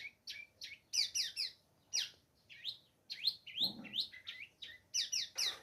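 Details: Long-tailed shrike of Lampung origin, Indonesia, delivering loud, sharp whistled notes in short clusters of two or three with brief pauses, some notes sweeping upward, plus a short rough low burst partway through.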